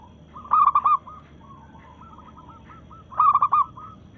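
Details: A local zebra dove in breeding mood sings two loud phrases of quick, bubbling coos about two and a half seconds apart, challenging rivals, with a faint purring trill of coos between them.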